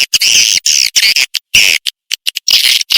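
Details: Swiftlet lure call played to attract swiftlets: loud, harsh, rapid chirping and rattling bursts in quick irregular pulses, separated by sharp silent gaps, dense and buzzy.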